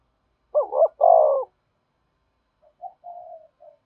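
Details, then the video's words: Spotted dove cooing to lure wild doves: two loud, rough, wavering coos followed by a softer, lower-level series of short coo notes, in clean surroundings with no other sounds. "Tiếng chim cu gáy thúc bổi, bổi nghe rất nhạy gáy và về cội nhanh"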